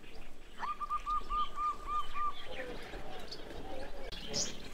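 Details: Zebra dove sounding a fast series of around eight clipped, arched coos at a steady mid pitch. Murmuring background noise follows, with a faint high twitter near the end.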